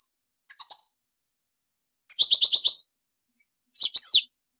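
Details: European goldfinch song: three short bright phrases separated by pauses, one a fast series of about six sharp high twittering notes, the others quick tinkling trills.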